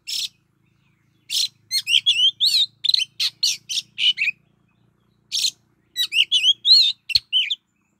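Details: Lure-bird Oriental magpie-robin singing rich warbled whistles with inflected notes alternating with harsh rasping bursts, phrases separated by a pause, over a faint low hum.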